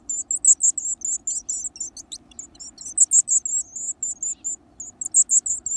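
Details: Growing Varied tit (Sittiparus varius) chicks being fed large insects give a rapid, shrill stream of very high, hissy begging notes, several a second, over a steady low hum.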